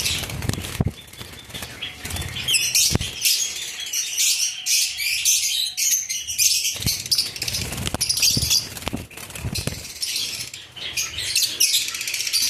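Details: Lovebirds giving a dense, continuous chatter of high shrill chirps and squeaks from many overlapping voices, with occasional thumps and wing flaps.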